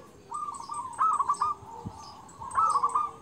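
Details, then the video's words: Local zebra dove singing, used as training song for quiet doves: low mellow cooing held steady, broken by bubbly rolling trills near the start and end, with faint high chirps of other birds behind. "perkutut lokal gacor suara kung dan besar manjur untuk masteran"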